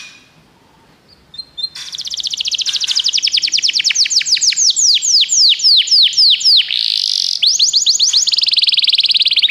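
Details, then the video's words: Singing canary, played to encourage a pet canary to sing: a brief whistle, then a sustained high trill of fast repeated downward-sweeping notes, changing speed and tone through several rolling tours. "seu canário vai cantar muito, ouça imediatamente essa música"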